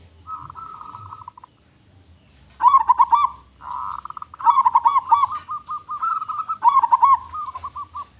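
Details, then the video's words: Perkutut lokal, a local zebra dove, in strong lure song: a sustained coo, then repeated rolling phrases of quick pulsed notes, each trailing into separate, slowing coos, over faint low background hum. "Perkutut Lokal Gacor Suara Besar Suara Paling di Sukai Burung Perkutut apa Saja"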